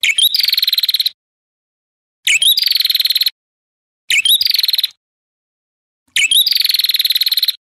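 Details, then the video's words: Ashy tailorbird song used to provoke rival birds: four bursts, each opening with a short rising twitter and then a fast, even, buzzy pulsed trill lasting about a second, separated by roughly one-second silences; no other sounds. "Masteran Pancingan Prenjak Kepala Merah Gacor Ampuh Memancing Emosi Lawan Agar Gacor"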